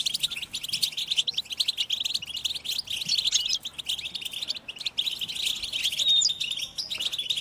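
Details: Excited European goldfinches twittering together, mating calls that stimulate caged males to break their silence and sing. Long, steady stream of high, rapid chirps and buzzy trills with short dips.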